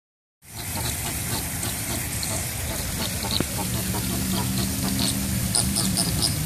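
Chilean flamingos give low, nasal, goose-like honks and grunts over a steady hiss of background noise, with the calls growing more noticeable toward the end.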